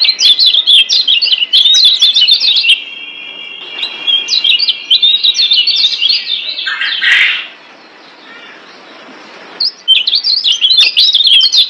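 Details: Training song of a yellow white-eye from Lombok, Indonesia, meant for caged birds: bursts of rapid high chirping and thin sustained whistles, a brief quieter break with faint rustling, then the twittering resumes.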